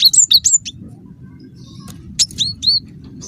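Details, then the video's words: Cinereous tit (gelatik batu) lure call used to draw replies from other tits; an opening flurry of sharp high chirps, a pause, then three more bright dropping notes against a constant low hum. "semua gelatik bakal NYAUT dengarkan suara ini"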